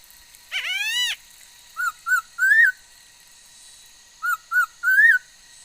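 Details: Female laughingthrush in song on 13 August 2021: one drawn-out raspy rising note, followed by two groups of three clear whistles, each group ending on a longer upward-curving note.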